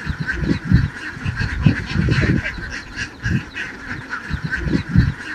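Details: A large flock of domestic ducks on a big farm in Cambodia: a dense, continuous wash of overlapping nasal calls with no single voice standing out, over heavy low thumping and rumbling pulses.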